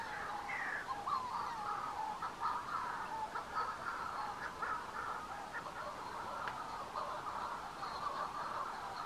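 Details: Manx shearwaters near the bird observatory on Bardsey Island call in a dense, overlapping chorus of harsh, crooning cackles, rising and falling almost continuously, with a steady background hiss.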